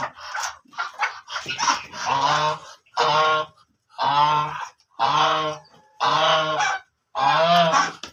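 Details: Black ducks calling with a run of harsh, nasal honks repeated roughly once a second, preceded by softer scattered chatter at the start.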